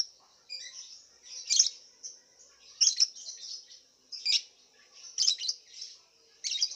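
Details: Caged contest lovebird from Singkawang in West Kalimantan gives rhythmic high, harsh chirping bursts roughly every 1.3 seconds, linked by softer twittering.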